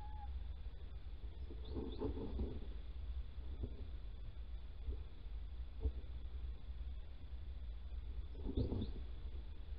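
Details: Male little owl calling near Holten on 16 March 2020 at 10:25 while the female digs a nest scrape. Two mewing, cat-like calls about seven seconds apart, each with a faint high upward-sweeping note, over a steady low rumble.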